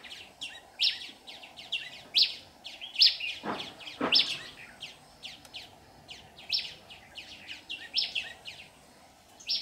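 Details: Red-whiskered bulbul serving as trap decoy, 15 July 2019, singing to attract wild birds; lively chattering of bright chirps and ringing whistled notes, with two low knocks in the middle.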